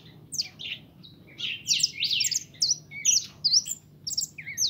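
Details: Kept pintón European goldfinch pouring out bursts of bright, twittering notes and short downslurred chips, separated by tiny gaps, over a quiet low hum.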